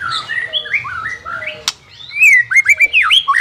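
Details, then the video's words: White-rumped shama song played to train a reluctant bird to sing: a run of rising whistled notes, a brief pause, then bright, fast upslurred whistles. "CARA MELATIH BURUNG MURAI BATU MALES BUNYI"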